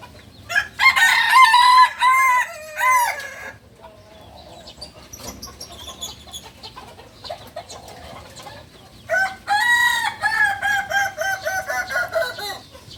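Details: Balenggek rooster, a novice bird of the native chicken from Solok, West Sumatra, gives two long crows. Each is a quick chain of stepped, harmonic syllables lasting about three seconds, with quiet rustling between them.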